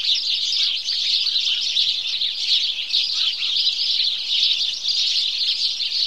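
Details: Dense morning chorus of house sparrows: countless quick, high chirps overlapping into a steady chattering roar, with occasional lower chirps audible beneath the main din.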